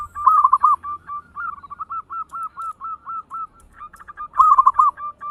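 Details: Zebra dove, a local bird, singing 'ngayer engkel' quickly to stimulate other birds to sing. A loud rolling coo phrase opens a long even chain of arched staccato notes, about four per second, ending in another loud phrase.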